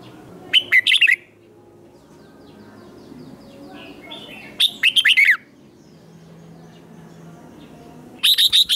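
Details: Red-whiskered bulbul singing competitively, three short bursts of quick, bright chirps with slurred whistles, separated by long quiet gaps with faint background noise.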